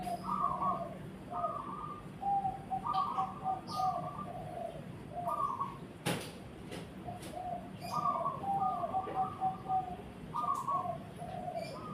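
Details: Zebra dove cooing in brisk, stuttering phrases of short level notes, repeated several times with brief pauses, one sharp knock midway and low background noise.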